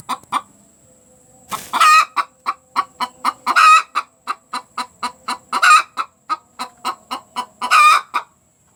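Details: An egg-laying hen's cackle: long run of quick, regular clucks interrupted four times by a loud, strained, drawn-out squawk, about every two seconds.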